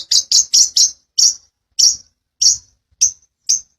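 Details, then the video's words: Long-tailed shrike, a lively singer used as a master recording to train other birds; nine harsh, high, buzzy chip notes, four in a quick run, then slowing to single notes spaced about half a second apart. "Masteran burung CENDET_PETET gacoran ROL rapat NGEPLONG"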